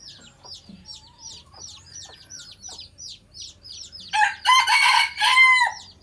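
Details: Red junglefowl decoy from an old Phatthalung bloodline, kept to lure wild junglefowl. A small bird chirps rapidly and steadily at about three notes a second, then a loud, harsh, multi-part crow takes over at the end.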